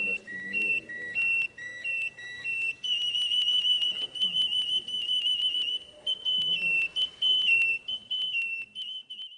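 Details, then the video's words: Russian canary, a captive breed, opening with alternating two-pitch whistled phrases, then a long trilled run on one high pitch with rapid pulsing, ending in slight pitch drops; faint low murmurs underneath. "Kicauan Burung "KENARI RUSIA" Russian Canary"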